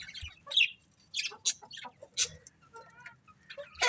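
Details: Scattered budgie chirps, sharp and separate, come at irregular intervals with a few short tonal notes between them and quiet gaps.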